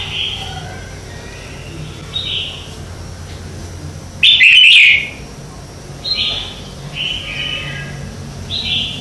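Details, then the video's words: Red-whiskered bulbul in morning contest singing, a lure recording for training birds. Soft whistled phrases come every couple of seconds. A single loud, bright burst of warbled notes stands out midway, with steady low hum underneath. "Luyện Chào Mào hót sáng hay nhất - To - Rõ - Vang"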